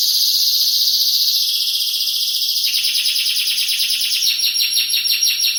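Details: Canary held in a cage, new and old cages stated, sings a continuous high buzzy trill, abruptly widening into a lower rolling passage, then rapid beaded notes toward the end.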